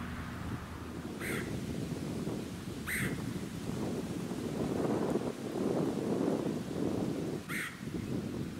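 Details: A Red-headed Woodpecker (Melanerpes erythrocephalus) in Ludington, Michigan, USA, in June 2019 gives three harsh, scratchy queeah calls spaced a few seconds apart. A steady low rumble of wind and suburban noise runs beneath.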